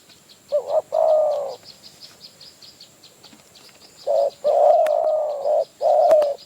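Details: Wild spotted dove answering a decoy in Phrae, Thailand: mellow low coos, a short double note before a long held coo, then a longer run of sustained coos, with high chirping birds behind.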